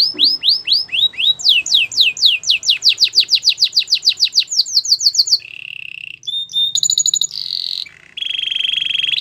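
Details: Canary training song with accelerating series of swooping whistled notes, a steady lower roll, short high clicks and a sustained buzzy trill at the end.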